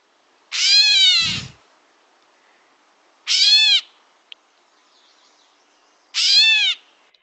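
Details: Gray Catbird, a winter migrant in Florida, gives three harsh, nasal, cat-like mews that sound like a cat meowing, each about a second long and roughly three seconds apart; a faint low thump follows the first.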